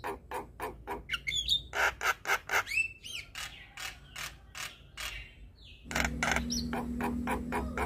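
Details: Javan myna song for rousing stressed, reluctant mynas; a run of dry, ratchet-like clicks about two per second with squeaky whistles woven in, then a noisier stretch of scratchy calls near the end.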